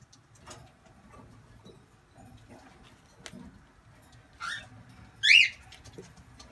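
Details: Cockatiel chicks at feeding time give two short, harsh, raspy calls near the end, after a mostly quiet stretch with a few faint clicks and knocks.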